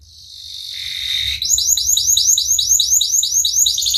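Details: Singing canary on a long training recording for young birds: a high buzzy trill sliding downward, then a fast run of repeated upswept chirping syllables, about two and a half per second.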